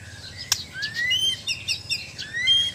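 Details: White-rumped shama, Borneo/Sabah bird, singing during mental training: clear, rising whistled slurs mixed with quick higher chips and trills, one sharp click near the start, faint background hum.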